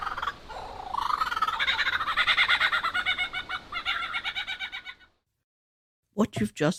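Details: Superb lyrebird near Mount Sugarloaf, West Wallsend district, gives its own trilling mating call plus mimicry of a whipbird, a chainsaw and a kookaburra: a rich, rapidly pulsed run of harsh, buzzy notes for about four seconds, then a pause before a man speaks.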